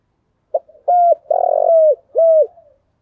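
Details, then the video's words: Spotted dove calling as a lure bird. After a brief soft note comes a loud three-part coo: a clear dipping note, a long vibrating rolled coo, and a final clear falling note. The surroundings are quiet. "Chim cu gáy chơi đủ bài thúc gù gáy gọi toàn bộ vdeo, dùng kích bổi thì phải nói hiệu quả"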